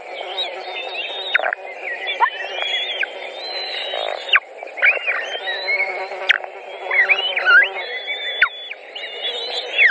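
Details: In a Latvian white-tailed eagle nest on 14 June 2019, during feeding after a pike delivery, a series of high, thin whistles wavers and slurs up and down, calling almost continuously.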